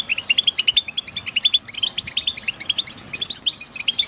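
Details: Goldfinch song: rapid, cheerful twittering of short high chirps and buzzy notes, delivered in quick bursts with tiny pauses, over faint low background hiss.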